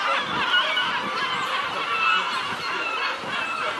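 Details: Noisy gulls in the Nesebar area of Bulgaria, several birds giving overlapping harsh, honking calls with a rough, wavering quality, a steady chorus with no pauses, over a busy outdoor background hum.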